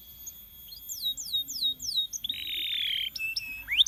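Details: Canary song phrase of four evenly spaced, thin down-slurred whistles, then a sustained buzzy, rasping note and a few sharp upward chips at the end, somewhat quiet with faint background hiss.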